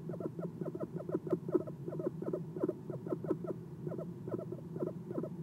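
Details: Eastern screech owl sitting on a nest box perch at night, recorded by a nest camera: soft chirps in quick, slightly uneven runs of brief descending notes, pausing briefly near the end, over low hum.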